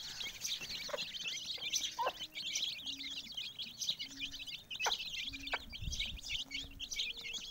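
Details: Chicks beside their mother hen keep up a continuous chorus of high peeps, while low soft hen clucks sound every second or so.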